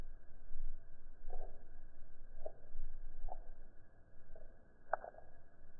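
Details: Low, muffled background hum with a few soft knocks and one brief click, and no animal call.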